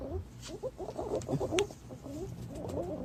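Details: Green pigeon sound used as a lure: a busy chorus of short, low, warbling and chattering notes from several birds, overlapping and uneven, with faint background hiss.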